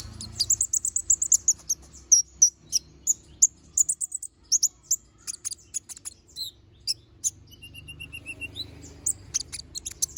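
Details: Little spiderhunter, a bird in full song: a rapid series of sharp, high, thin chirps and short whistled notes delivered in quick bursts, with a brief pause near the middle and a run of even ticking notes toward the end.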